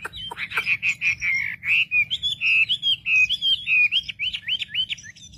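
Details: Wambi song meant to stir the emotions of other wambi birds: a continuous run of short warbled whistles repeated in quick succession, some with a hooked upward flick, over a faint low hum.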